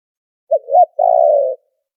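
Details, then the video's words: Noise-cleaned spotted dove coo used as a trapping lure: brief opening note, curved rising hoot, pause, then a long even coo slowly dropping in pitch. "Tiếng chim cu gáy chuẩn kích mồi đã lọc tạp âm"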